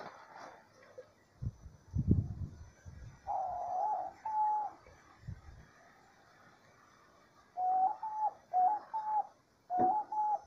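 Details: Diamond dove singing a lot in nature: several soft, mellow two-part coos, each a level tone followed by a slightly higher steady note, coming in pairs with pauses between, after some low thumping knocks early on.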